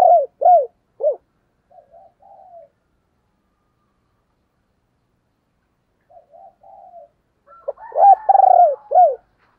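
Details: Decoy spotted dove cooing to lure wild doves: several loud, arched low coos in quick succession, a few softer quavering notes, a pause of several seconds, then another burst of strong coos.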